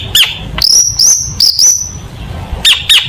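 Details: Lively long-tailed shrike song meant as contest tutor material: brief sharp chirps around long, high, slightly rising whistled notes, then two more quick chirps.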